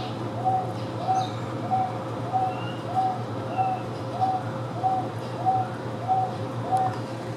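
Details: Wonga pigeon, a captive bird at the Houston Zoo kept with Taveta weavers, gives a steady series of short, level, hollow notes repeated about every 0.6 seconds, evenly spaced, over a constant low hum.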